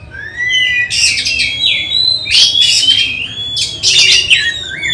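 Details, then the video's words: Oriental magpie-robin being tested before a songbird contest, alternating long clear rising and falling whistles with harsh noisy bursts, three bursts about a second apart. "Test Mental Kacer Persiapan Lomba Burung Berkicau"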